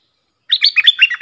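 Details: Sooty-headed bulbul song, a recording made to train young hand-fed birds. A brief, loud run of bubbly, liquid notes that rise and fall, with nothing else audible.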